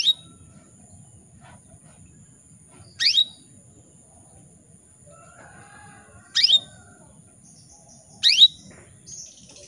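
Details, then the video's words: Caged female canary calling males to stir them into song: single sharp, high downward-sweeping calls at irregular gaps of two to three seconds, over quiet low background noise. "PANCINGAN KENARI BETINA MEMANGGIL JANTAN"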